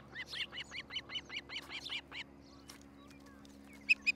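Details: Osprey calling from a nest in Charlo, Montana, on a nest cam on a July 2018 morning. Clipped, slightly rising chirps repeat about five times a second for two and a half seconds. Two brief higher whistles follow after a pause, over a faint electrical hum.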